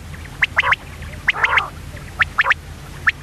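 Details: Female common quail: paired sharp, clicking chirps with a short throaty, gargled note between them, spaced by brief pauses, over a soft background hum.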